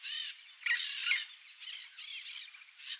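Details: Yellow-faced parrot in the wild, free in nature: two grating, harmonic-rich squawks early on, then softer scratchy notes, with a constant high-pitched insect drone behind.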